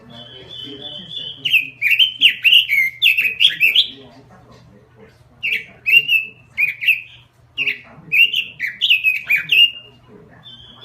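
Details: Robin in lively song: three bursts of rapid, looping whistled warbles separated by short pauses, each phrase a tumble of slurred up-and-down notes, with a faint steady low hum underneath.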